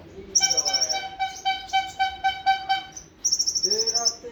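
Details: Sunbird, locally called konin or kolibri ninja, singing in the 'nembak sejalur' style: very high, rapid trills that open and close the passage. A steady, lower, harmonic-rich tone runs through the middle alongside fainter chirps.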